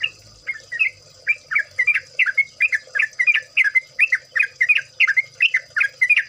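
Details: Yellow-vented bulbul chorus meant to prompt other birds into song: a lively, continuous run of chirpy, bubbling two-part notes, roughly three each second, against a faint high hiss.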